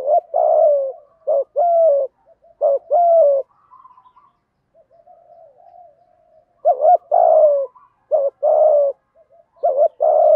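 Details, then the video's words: Lure cooing from male and female spotted doves, short hooked notes and longer sliding coos in rapid runs, a soft low murmur between bursts, no other sounds. "Chim cu gáy thúc gù cực đỉnh dùng để anh em kích bổi mới hiệu quả, bổi gáy theo rất sung"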